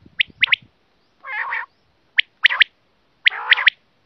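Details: Quail calling, used by hunters to attract quail: short, high chirps in pairs alternate with broad, grating churrs, each group separated by brief silences.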